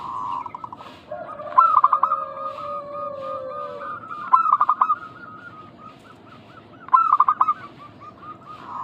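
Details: Local zebra doves used as a lure so other doves call back; three loud stuttering coo phrases spaced a few seconds apart over softer continuous trilled coos.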